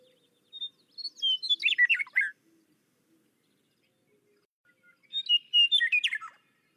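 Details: Western Meadowlark in summer at Kankakee Sands, Newton County, Indiana, gives two bubbling, gurgling R2-D2-like song phrases, each about a second and a half of flutelike notes tumbling downward, separated by a pause.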